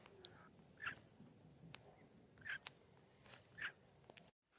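A nightjar gives three short, mid-pitched calls about a second apart, with scattered sharp clicks and a low background rumble.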